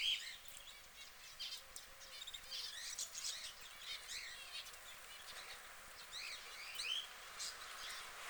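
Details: Yellow canary (Crithagra flaviventris) preening and calling: quick, high chirps and twittering notes in loose, overlapping bursts, with a soft hiss of background noise throughout.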